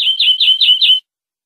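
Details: European greenfinch tutor song for educating captive birds: five quick linked notes, each dipping then holding a bright steady whistle, in one continuous second-long run.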